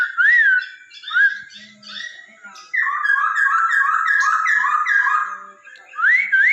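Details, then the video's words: Laughingthrush song used to stimulate a pet bird to sing: loud, clear whistled phrases that rise and fall, followed by a rapid run of rich warbled notes, with quiet gaps between phrases. "memancing burung poksay Hongkong kamu biar cepat gacor"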